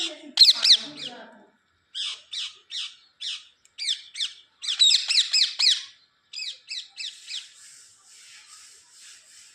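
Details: Pet parrot said to be talking, giving loud bursts of short, piercing squawks in quick clusters, several notes per second, separated by short pauses and fading to softer notes at the end.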